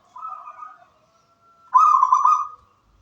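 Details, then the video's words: Local wild-type zebra dove singing vigorously: two short phrases of soft, rolling, slightly trilled cooing, the second louder and longer, with a quiet gap between them. "Suara merdu perkutut lokal alam gacor"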